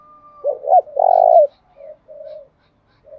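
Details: Spotted dove decoy call used to lure wild doves: two short rising coos then a long rolling purring coo, followed by softer low coos from another dove.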